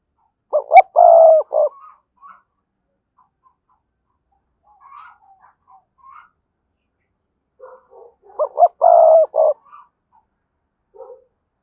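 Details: Spotted dove kept as a decoy with a strong, lively voice, repeating its cooing phrase twice, about seven seconds apart: quick short notes, a long sustained coo, a final note, with soft quiet calls between.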